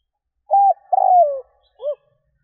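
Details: Vietnamese spotted dove call for luring wild doves: clean three-part phrase, a short flat coo, a longer coo descending in pitch, and a quick soft closing note.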